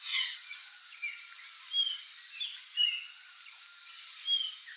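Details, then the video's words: Wild curl-crested jays calling as a flock in Brazilian open country; scattered brief harsh notes and clear whistles come every half second or so over constant high-pitched background noise. "Flock of CURL-CRESTED JAY (CYANOCORAX CRISTATELLUS), GRALHA-DO-CAMPO"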